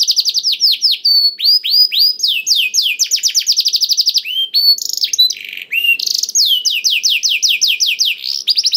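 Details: Singing canary meant to provoke quiet canaries into song; varied phrases of rapid downward-swept whistles, fast trills, buzzy chattering and clear sliding notes, continuous and loud.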